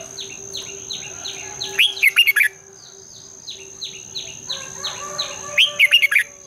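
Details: Red-whiskered bulbul singing at dawn, a long double twisting song for stimulating other bulbuls: two loud phrases of five quick looping notes roughly four seconds apart, separated by rapid, regularly repeated soft down-slurred chirps of another bird.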